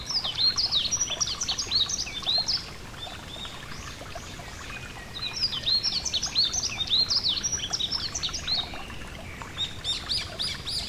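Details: Yellow-throated bunting singing beside a gentle stream: two long bouts of rapid, high, sparkling chirps and slurred twitters, separated by a short lull around the fourth second, all over a steady background of flowing water.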